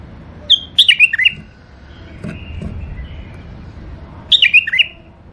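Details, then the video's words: Caged tame bulbul, one of a breeding pair, male and female: two rich fluty phrases about four seconds apart, each a fast run of falling and rising whistles, with faint low room hum between. "بلابل اليفات قفص تغريد حلو"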